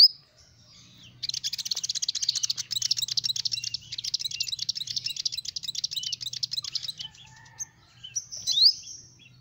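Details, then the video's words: Sunbird song for luring small birds: a long, unbroken stream of rapid, very high, buzzy twittering lasting about six seconds, ending in a brief pause and a loud rising squeaky note. "Suara burung Kolibri Ninja"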